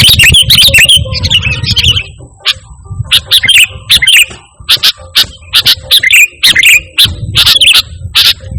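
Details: Sooty-headed bulbul singing loudly and pure, without other birds' songs mixed in, for luring and as a master voice for caged birds: rapid bubbly chirping notes in uneven runs over a low rumble.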